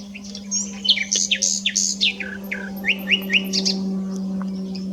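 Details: At S'Albufera a nightingale sings repeated downward-sweeping whistles, about a dozen in steady rhythm, opening with a few higher chirps; a low continuous hum runs underneath.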